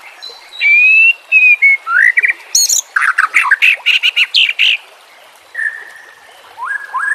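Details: Shama training song with combined fill: a clear level whistle, a few upswept notes, a rapid series of loud harsh chattering notes, then a pause and two more drawn-out whistles.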